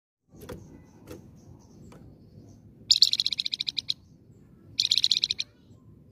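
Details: Flamboyan in full song, used as a lure to prompt other birds to answer: two fast buzzy trills of rapidly repeated high notes, each lasting about a second, after scattered faint clicks over low background rumble.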